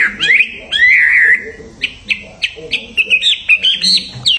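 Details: Caged songbird on the hanging pole before a singing contest gives a long rising, warbling whistle, then a run of short sharp chirps climbing higher, with low murmuring voices of people underneath.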